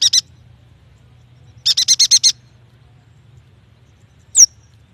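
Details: Recording of a yuhina used to prompt immature or quiet birds to sing: a brief double chatter, then a run of six quick harsh stacked notes, and finally one high sharply dropping whistle.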